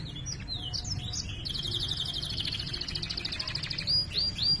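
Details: Canary singing vigorously in gacor style with ngerol rolls and cuit cuit notes: varied quick chirps, then a long buzzy rolled trill held for over two seconds, closing with two bright rising-falling sweeps over low background rumble.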